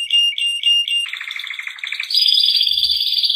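A Shant canary sings pure whistled notes, about four a second, then a quick stuttering trill and a higher, sustained rolling phrase.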